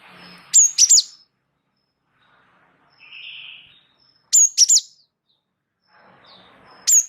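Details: Java sparrow, wingko type, in active rolling song recorded as a tutor for other birds: crisp high triple chirps repeated about every three and a half seconds, with a soft buzzy note between.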